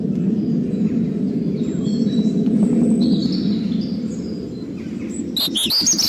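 European robin singing thin, high warbled phrases, faint at first and stronger at the end, over a steady low rumble of background noise.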